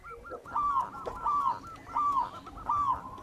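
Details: Wild local zebra dove in song, used as a lure: soft cooing notes, each slurring downward, repeated in a steady series about four times, over a noisy, hissing background.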